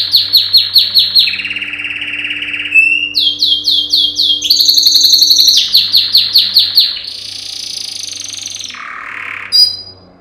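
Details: Yellow canary male singing loudly as a training song for canaries: bursts of rapid repeated chirps, rolling rattles and trills changing pitch, a long buzzy section, then a low rolled phrase and a sharp final note, over a faint hum.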